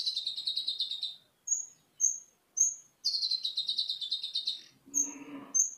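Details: Cage-bird training recording of an olive-backed sunbird with cililin-style song content: long buzzy rattling trills separated by brief high whistles, and a soft low rustle near the end.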